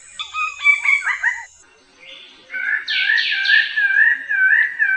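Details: Bird-of-paradise singing quick warbled, wavering whistles, a short pause, then loud rasping rising sweeps blending into a sustained rolling, undulating whistle, with a thin high tone at first.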